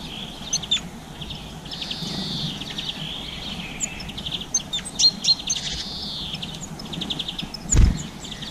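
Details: Evening seed feeding by garden birds including black-capped chickadee, blue tit and greenfinch, GoPro, April 2020, around 7 pm; scattered sharp chirps, buzzy drawn notes and short trills, with a thump near the end.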